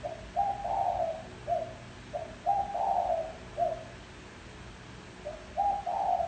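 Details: Spotted dove calling as a lure for wild doves: gentle low coos in phrases of a short note, a long swelling coo and a clipped note, with a short pause midway, three phrases over a quiet hum.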